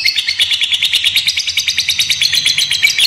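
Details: Fighter lovebird in full ngekek trill, used to make young lovebirds respond and sing: a continuous, very quick rattle of high, slightly buzzy chirps at steady loudness.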